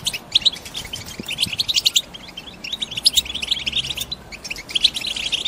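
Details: European goldfinch females, caged and in breeding condition, chatter to excite a male into singing. A lively stream of high, clipped chirps with trilled runs, rising and falling in intensity, from more than one bird.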